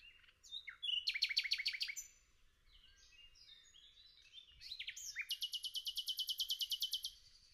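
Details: Nightingale singing in a forest: a loud burst of rapid repeated high notes, a softer jumble of varied phrases, then a long, even, machine-gun series of sharp high notes lasting about two seconds.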